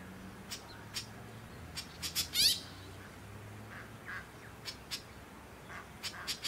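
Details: White-breasted Woodswallow (Artamus leucorynchus) on the Sunshine Coast, Queensland, in January 2021, giving short, harsh, rasping notes at an irregular pace, about a dozen over several seconds, with a few softer, lower notes between.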